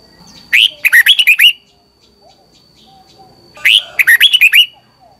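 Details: Morning training song of a red-whiskered bulbul, a lure song for training birds to sing: two quick phrases of bright, bubbling whistled notes falling and rising, each under a second, three seconds apart.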